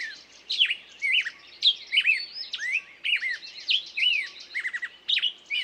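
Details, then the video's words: Varied bird song of whistled swoops and quick falling notes, delivered in irregular bursts about every second, with a faint high trill underneath. "пение птицы"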